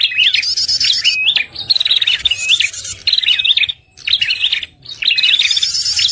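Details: Prinia lure call from a red-headed prenjak for trapping birds: loud clear whistles with upward hooks and fast metallic trills, repeated in tight phrases with two brief quiet gaps.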